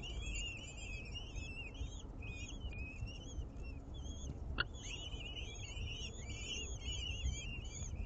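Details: Common kestrels at an urban nest in a ninth-floor window box of a building in Aguadulce, Almería, as the female feeds chicks a swift: continuous wavering, whistled calls, tightly repeated with a quavering pitch, over low background rumble.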